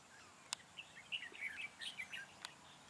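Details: Red-whiskered bulbul acting as a trapping decoy on 4 February 2017, singing to lure and fight wild birds: a fast, jumbled run of clear warbling whistles, with two sharp clicks before and after the phrase.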